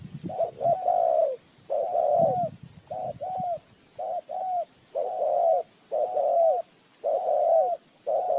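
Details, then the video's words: Spotted dove decoy luring birds to a trap, repeating short-long coo pairs in a steady rhythm, the second note longer and slurred downward, with some low rustling early on. "Tiếng chim cu gáy mồi chuẩn gáy gọi cực hay"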